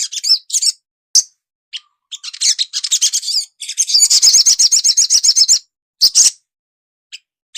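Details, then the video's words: Untrained young sunbird with its song played to make it sing quickly. Scattered high chirps lead into a long, rapid, buzzy twittering run, followed by isolated sharp notes. "suara burung sogon bahan agar cepat ngriwik,cuit cuit crett"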